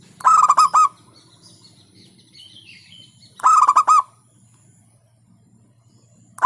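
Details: Local zebra dove (perkutut) in hentakan song: two loud, emphatic pulsed phrases of about five quick beats each, about three seconds apart. A steady low hum runs underneath, and a third phrase begins at the end.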